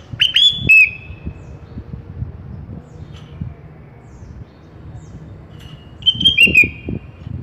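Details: Kutilang song for masteran use: an opening burst of sharp whistled notes sliding downward, then quiet, then a second rolling descending phrase near the end, over soft low rumble.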